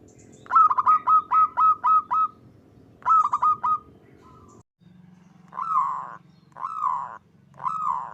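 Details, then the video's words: Zebra dove song in the kerot ngutut kowar style, for training and luring zebra doves: two fast bursts of short bubbling coos, then slower arched cooing notes roughly one per second over a low hum. "SUARA PERKUTUT KEROT NGUTUT KOWAR"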